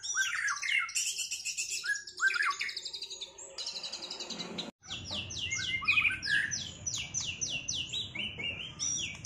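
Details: Post-moult white-rumped shamas in a singing duel to recover performance: dense, energetic song of rapid high trills, sharp downslurred notes repeated in quick series and bright whistles, with a brief break midway.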